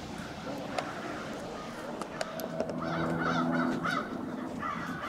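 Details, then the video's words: Staging crows on Washington Street in Brattleboro, Vermont, on 16 February 2021, giving rough caws from several birds, heaviest in the second half, with a low humming engine tone underneath. "Crows staging on Washington St"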